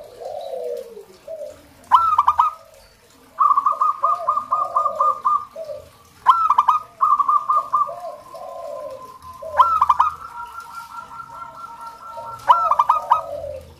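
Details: Local zebra dove song used to prompt kept zebra doves to sing. Four bursts, each a sharp note and a rapid string of clipped, even-pitched notes, with soft lower warbling coos between and a brief longer steady tone.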